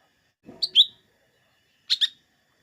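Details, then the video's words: Lesser green leafbird, also called cucak ijo mini or cucak daun, whose song is used to provoke green leafbirds into singing before contests: a soft low rustle, then a bright rising-falling chirp pair, and after a pause another quick double chirp. "Suara burung cucak ijo mini atau cucak daun"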